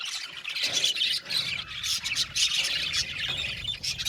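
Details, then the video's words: Many budgies in an aviary colony chirp and squawk at once, making busy high-pitched chatter. Harsher squawks and squeals stand out at times over a faint low rumble in the background. "Budgies parakeets chirping sound | Cute Budgies birds singing sound"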